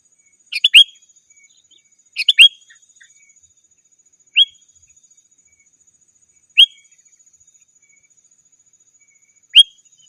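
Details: Sooty-headed bulbul calling rivals, used to lure wild birds: two chirpy phrases with a bright whistled ending, then three single short upslurred whistles, spaced two to three seconds apart, on a quiet background.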